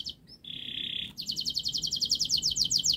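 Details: Canary's speedy, densely packed song used as a model for young birds: a brief whistle, a steady buzzy tone of about half a second, then an even, fast, high trill.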